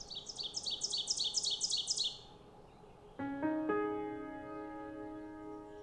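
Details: Ovenbird one morning in the boreal forest of Lesser Slave Lake Provincial Park, Alberta, sings about eight quick, high two-note phrases that grow steadily louder over two seconds, then soft piano chords take over.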